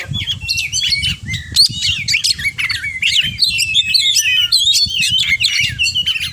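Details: Energetic oriental magpie-robin, 'kacer gacor' singing full of varied filler phrases. Quick chain of swooping whistles, scratchy chatter and shrill high notes tumbling together, with soft low music in the background.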